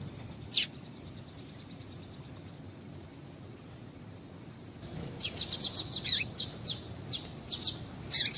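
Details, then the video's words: Double-collared seedeater female giving calls meant to excite males for song competitions. A single high chip, a long quiet gap, then a rapid burst of many sharp, bright chips in uneven succession toward the end. "Piado de Fêmea de Papa capim"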